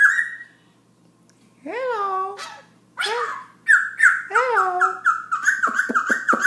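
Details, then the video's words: A Black-throated laughingthrush sings at night around 11 pm, nearly non-stop for about ten minutes, with rich, nasal, arched notes that rise then fall in phrases about a second apart, ending in a burst of sharp clicking chatter. "Black throat laughing thrush night song"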